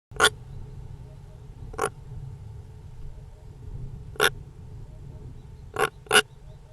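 A European roller gives five short, harsh, rasping calls at uneven intervals over a low, steady rumble.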